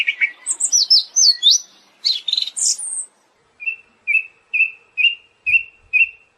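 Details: A Siberian thrush opens with a tumbling jumble of high, sliding whistles, then after a pause repeats one short clear whistled note six times, roughly every half second.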